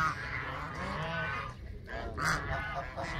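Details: Canada geese honking, with several overlapping nasal calls followed by a louder honk near the end. A steady low background rumble runs throughout.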